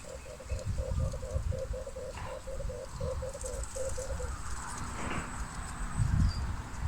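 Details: Male red turtle dove calling: low, rolling, pulsed coos in quick clusters of two or three notes, repeated steadily for about four seconds before stopping, over a low rumbling background with a faint high chirp near the end.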